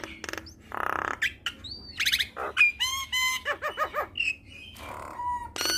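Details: Jalak kebo, the Javan myna, sings a full-fill training song meant to set other mynas singing. Harsh buzzes, a rising whistle and rapid repeated harmonic notes alternate with short squawks and clear whistled tones.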